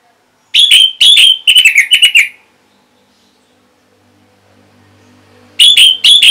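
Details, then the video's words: Orange-headed thrush (anis merah) answering a lure sound: a rich phrase of bright whistles ending in a rapid tumbling series of notes, a few seconds of quiet, then another burst of whistles. "Reaksi ANIS MERAH Saat Dipancing Suara Ini !! Langsung Nyaut"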